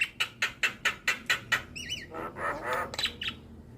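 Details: Javan myna singing energetically while nodding its head: a run of harsh, broadband chack notes about five times a second, then two quick wavering whistles and a burst of rougher chattering.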